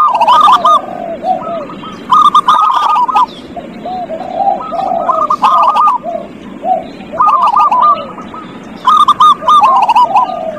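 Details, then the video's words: Zebra dove singing as a lure to get a reluctant dove to sing: repeated phrases of short bubbly coos that break into a trill, about five bursts, soft lower cooing and crisp clicks alongside. "Pancingan perkutut paling ampuh | perkutut males bunyi"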